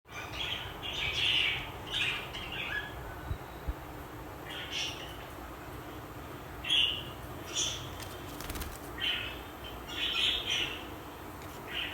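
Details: Friendly, tame budgerigars chatter to each other in bursts of bright, warbling chirps and scratchy squeaks.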